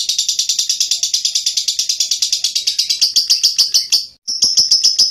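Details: Lovebird delivering loud, rapid training song for other birds: a dense run of high chirps that turns into sharper separated clicks, a brief pause near four seconds, then chattering resumes.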